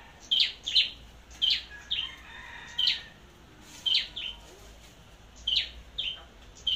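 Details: Flowerpecker, a bird chosen for competitive singing and as a decoy, at Long Thành, Vietnam: sharp high chirps in pairs and triplets, each with a short trailing whistle, repeating about every second over a faint low hum.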